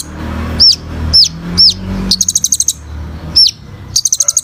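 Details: Kolibri ninja sunbird in full, lively song used for training other birds: three sharp whistled upslurs about half a second apart, then fast bursts of high ticking notes, another upslur and a final rapid ticking run.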